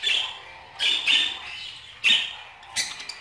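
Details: Budgerigar chatter: four short buzzy, scratchy bursts spaced roughly a second apart, each bright and harsh with a squeaky upper edge, separated by quieter gaps.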